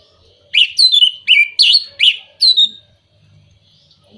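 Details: Orange-headed thrush lure song for birds that are moulting, not singing or out of breeding condition: five loud, rich phrases of descending whistled slurs in quick succession, then a short quiet gap.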